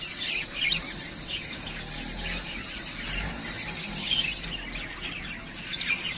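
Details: Yellowface spangle budgerigars, three pairs ready to breed, give scattered high twittering chirps and squeaks in bursts, some louder notes near the start and middle, over a low rumbling background.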